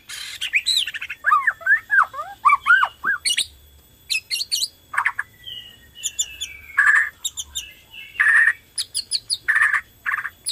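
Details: Borneo white-rumped shama in vigorous song, played to provoke other shamas into singing: varied looping whistles, harsh squawks, bursts of high chips and long level whistled tones separated by short pauses.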